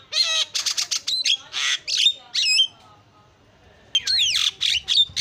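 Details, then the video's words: Javan myna singing isian-style: a burst of rough, rasping notes and twisting whistles, a quiet pause of about a second, then a fresh flurry of swooping whistles and squawks. "JALAK KEBO SUPER GACOR SUARA ISIAN"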